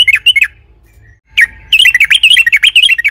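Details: Trucukan (yellow-vented bulbul) in long rolling lure song: a brief chirped phrase, a pause, then a dense, jumbled run of rapid up-and-down chirps.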